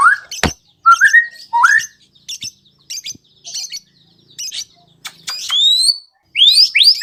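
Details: White-rumped shama notes played as a lure to prompt other birds to sing: short rising whistled slurs and scattered dry chips with pauses, ending in loud high upswept whistles.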